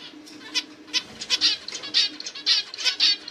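Zebra finches give short, nasal, toy-trumpet beeps in an uneven, rapid series.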